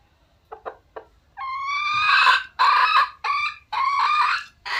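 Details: Red junglefowl: a few short clucks lead into a long, loud, harmonic crow-like call that rises and holds. Several strong, broken bursts follow to the end, and the background stays quiet.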